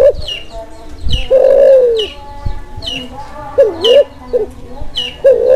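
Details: Kelantan spotted dove in breeding mood, used to prompt silent doves to call and to lure birds; mellow coos, one long and falling, others short and dipping, with sharp high chirps from other birds repeating throughout.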